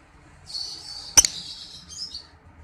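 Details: Lovebird ngekek trill used as a master recording for training pet birds: a long buzzy high rattling trill held about a second and a half, broken by a sharp click, then a short closing burst.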